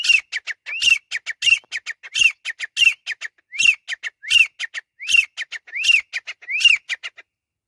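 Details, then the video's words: Grey francolin calling in a rapid repeating phrase: a loud arched, ringing note followed by a quick run of shorter sharp notes, the phrase recurring roughly every 0.7 seconds with a steady, insistent rhythm; no other sounds. "Teetar Ki Awaz"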